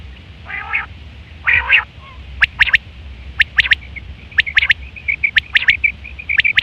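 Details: Quail calling, September 2023, a sound used for hunting and mating: two nasal harmonic squawks open, then sharp high notes roughly once per second alternate with short chirps, over steady low background hum.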